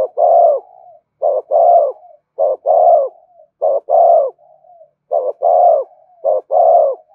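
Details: Spotted dove in thúc gù cooing style, used for stimulating and training lure birds: repeated two-part coos, a brief note followed by a fuller drawn-out one, each trailing into a soft low tail.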